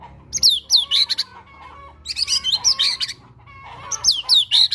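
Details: Energetic white-rumped shama song with cinereous tit (gelatik batu) material, used to prompt sulking caged shamas: three bursts of rapid falling whistles and stuttered chattering notes over faint low background hum.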